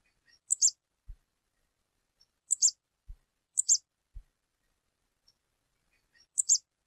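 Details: A wild stripe-tailed yellow finch female calling in nature gives short, high, two-part chips, repeated four times at irregular intervals, with a few faint soft ticks and low thumps between.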